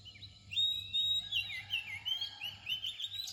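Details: Oriental magpie-robin song near dawn: after a brief pause, a sustained run of sweet, wavering whistles and quick twittering slurs, continuous and melodious, against faint low hum.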